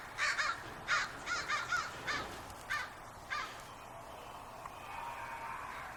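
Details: On a spring evening in Portland, crows at a big walnut tree give a burst of rasping caws, quickening then spacing out over three seconds before fading into soft background noise.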